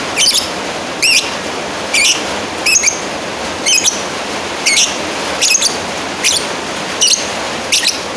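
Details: Lovebird calling a rival, sharp high squeaky chirps with a jittery, warbling contour, delivered in a regular series roughly every 0.8 seconds above steady hiss.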